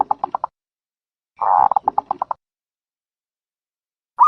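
A dove gives quick bursts of short, soft, staccato coos, about eight notes a second, with a pause between bursts. No other sounds.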